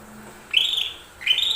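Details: Lesser green leafbird song, played to provoke other birds into singing: two separate upslurred whistles, each rising then holding, with a short pause between.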